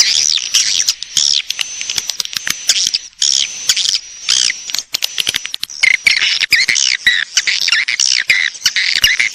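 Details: Swiftlets calling, played to attract them to roost: bursts of buzzy high twitters separated by short gaps, sharp clicks scattered throughout, with arched chirping notes growing stronger in the second half.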